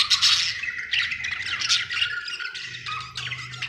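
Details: Budgerigar in a happy mood, giving a short burst of scratchy warbling chatter with sharp squeaky notes, over a faint low hum.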